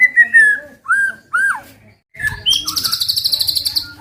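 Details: White-rumped shama song for provoking other birds, clear fluting whistles rising and falling, a short silence, then a fast high buzzy rattle repeated many times.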